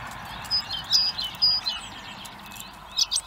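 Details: Hungry blackbird nestlings at a feeder in Recke, Germany give a few scattered high, level whistled peeps and soft chips amid noticeable background hiss.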